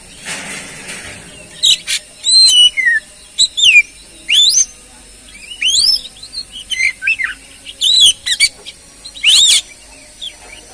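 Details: Oriental magpie-robin song used as a lure to get a stalled, stressed bird singing again: bright whistled phrases, many sliding downward, in short bursts about every second, with buzzy notes at the start and end.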